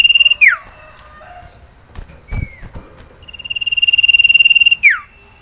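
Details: Male sirtu iora kept in a cage, in breeding condition and crying out for a mate: a steady rapid trill ending in a falling swoop, a short rising-falling whistle, then another long trill and downward slur.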